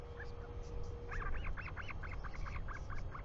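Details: New Zealand royal albatross filmed by a nest cam on 24 July 2020, afternoon, as the father comes home: after a quiet second, a rapid run of about ten short arched yelping notes, tapering in strength, against constant wind noise.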